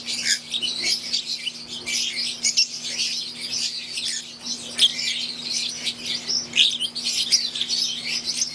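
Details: Shrill twittering chorus from an aviary of pure wild-type green Fischer's lovebirds and Euwing lovebirds, continuous overlapping chirps with a few louder squeaky notes standing out, plus a quiet steady mechanical hum.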